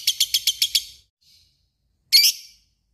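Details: Lovebird described as a fighter bird giving a long trill: a rapid series of six shrill, buzzy chirps, then a brief pause and a final harsh, squealing burst.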